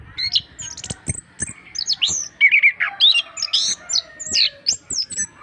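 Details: Lively orange-headed thrush singing, used to stimulate reluctant birds: dense continuous stream of varied whistles, chirps and mimicking-sounding high notes with occasional sharp clicks.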